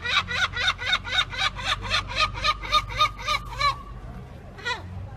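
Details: Gulls laughing loudly and cheerfully: a rapid run of about twelve harsh, even, barking notes, then a short pause and one last note, over a low steady hum.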